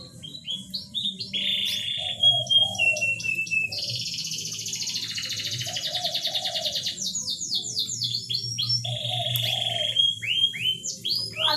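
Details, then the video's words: Canary song meant to stimulate mating in a reluctant bird: brief chips lead into a long, dense buzzy trill, then bursts of rapid descending notes and flat whistles, with low background hum. "Pancingan kenari susah birahi"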